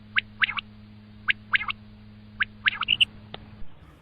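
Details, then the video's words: Common quail calling, a sharp three-note phrase repeated about every second, each note short and clipped, over a steady low electrical hum. "Batair Ki khobsorat Mote Awazay|Batair Ki moty Awaz|Обыкновенный перепелиный зов |перепелиные звуки"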